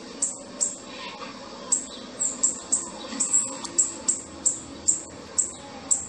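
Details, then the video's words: Thin, very high single chips from a Bananaquit, one of a male and female pair, spaced irregularly about every half second over a soft hissing background. "CANTO DO SIBITE MACHO E FEMEA - CAMBACICA"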